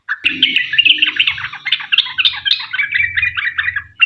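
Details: Sooty-headed bulbul giving long 'ropel panjang' lure song to set other bulbuls singing; continuous bubbly, warbling chatter without breaks over a faint low hum.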